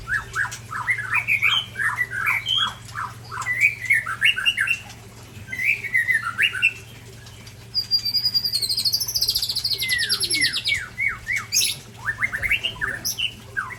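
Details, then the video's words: Two Aceh white-rumped shamas, Ujong Pancu and Tangse, sing against each other. Dense clusters of quick chirped notes come in bursts, with a high buzzy trill and fluttering sounds near the end. "Murai Ujong Pancu sparing dengan Murai Tangse"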